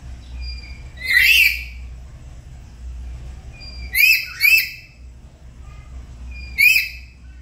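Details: Morning duet of black-capped lories kept as house pets, practising chatty song: loud nasal rising squawks, single then a quick double and another single, with faint whistles between and low hum.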